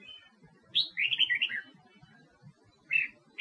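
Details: Huế-type red-whiskered bulbul, song used to train captive birds for singing contests: a faint, thin whistle, then a rapid bubbling phrase of warbled notes, and one short note near the end, over a steady low background murmur.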